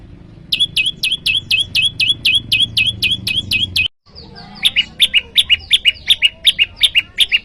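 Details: Bar-winged prinia (prenjak lumut) calling to summon a rival, used to lure wild prinias and to train cage birds: fast runs of sharp, high chipping notes, about a dozen in each burst, broken by a brief silent gap.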